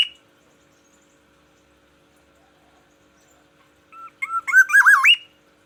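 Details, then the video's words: In Aceh, a kept black-naped oriole sings in the morning to mark its territory: after a quiet stretch, short introductory notes lead into a loud, looping, fluty phrase that sweeps upward at the close. "Kepodang emas Aceh, perawatan harian dan variasi kicauan di pagi hari"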